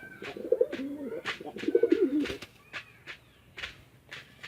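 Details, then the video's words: On a pigeon farm in a Chittagong District village, Bangladesh, male and female pigeons fight. One wavering low coo runs for about two seconds, then only intermittent sharp clicks follow. "Awesome Male & Female Pigeon Combo Attacks Sound"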